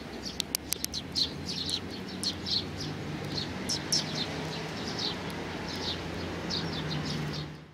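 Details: Sparrows at a Tenmangu shrine, 31 May 2019: a flurry of thin, high chirps in the first four seconds, then quieter, with a droning low hum throughout.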